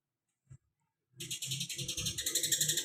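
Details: Cucak kinoi delivering tight 'tembakan greja' song: after a lone soft tap, a dense high buzzy trill of rapid repeated notes that grows louder, with faint low thumping underneath.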